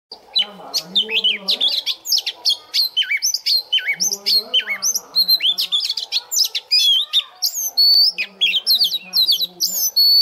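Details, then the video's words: Newly caught caged Oriental magpie-robin singing to warm up its voice in the morning: a dense, nonstop run of loud whistled slurs, sharp chips and looping rising and falling notes, with faint low murmuring sounds underneath. "Choè than bổi lên hót luyện giọng lên lửa mỗi sáng"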